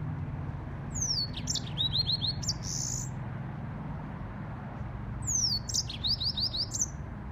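A Yellow-fronted canary sings two bright bursts of song, each opening with a high descending slur and running into quick, twittering notes, over a steady low hum.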